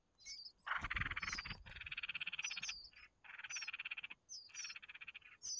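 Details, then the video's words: Red-whiskered bulbul chicks fed by the mother produce long stretches of fast, buzzy pulsed rasping, broken by short pauses, with thin high squeaks on top. "Chim chào mào mẹ mồi cho con"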